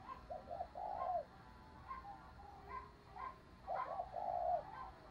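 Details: Caged spotted dove decoy cooing in the stammering 'gù cà lăm' style to lure wild birds; faint, hollow coos with broken leading notes and longer drawn-out tones over a steady background hiss.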